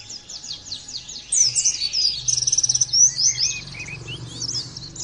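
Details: Training track of a singing Oriental white-eye. High, hurried chirps lead into a dense twittering passage with a quick rattling trill mid-way, then scattered slurred whistles, with a soft low hum beneath.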